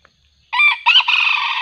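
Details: Junglefowl crow recorded while luring wild birds with a decoy, the wild junglefowl becoming fiercer. Half a second of silence, then a harsh crow in two short bursts and a drawn-out note that is cut off.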